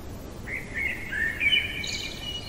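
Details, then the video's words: Common blackbird singing at night: a series of rich, slurred whistles stepping up and down, followed by thin high twittering at the close, with a soft steady hum behind. "Merle chantant au cœur de la nuit"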